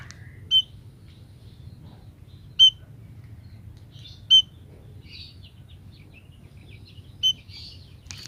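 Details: Female munia giving a call that brings males: clear, shrill, short notes repeated irregularly every two to three seconds, with occasional faint twittering between.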